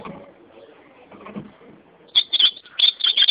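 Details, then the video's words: Ultramarine grosbeak song: following soft low noise, two quick bursts of bright, high-pitched warbled notes, closely spaced and piercing. "azulão cantando"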